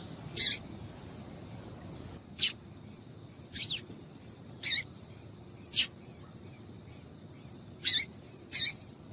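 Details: Female double-collared seedeater (coleiro) calling, used to stimulate males to sing: sharp, high chipping notes given singly at irregular intervals of one to two seconds, seven in all, over a faint steady background hiss.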